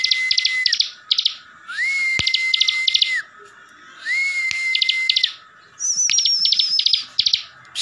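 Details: Captive Javan sunbird from Slawi, Tegal, Central Java, in full continuous song meant to provoke other birds to answer: long buzzy bursts of rapid clicking notes over sustained whistled tones, repeated in phrases about a second long, ending with a high wavering whistle.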